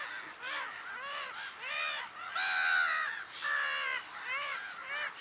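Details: Black-headed gulls at the Harchies marshes, Belgium, in April: harsh nasal downslurred calls, several overlapping, repeated about every half second, with longer drawn-out screeches mid-clip, a noisy colony chorus.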